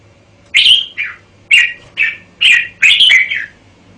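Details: Red-whiskered bulbul, likely caged, singing short bright phrases of warbled, slurred notes with buzzy harsh edges, six bursts over four seconds separated by brief pauses; quiet background.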